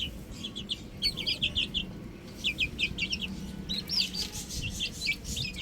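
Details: Chicks on a rooftop peep in quick bursts of sharp, high, descending notes, pausing briefly near the second mark before resuming loudly, over a soft low drone.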